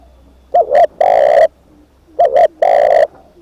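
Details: Spotted dove kept as a decoy bird, giving two loud phrases, each a short double coo followed by a long, strong, even coo, the phrases about one and a half seconds apart, over faint low hum.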